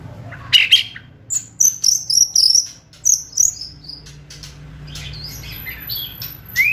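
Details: Fierce kretekan singing from a white-rumped shama, played to stir emotion and hasten full song. Very high, thin notes come in rapid clipped bursts about twice a second, then softer scattered twitters and a last rising whistle.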